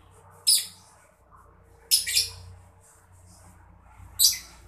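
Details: Mocca lovebird making three rasping high chirps, the middle one doubled, spaced over a few seconds above a faint low hum. The chirping is meant to get other caged birds singing.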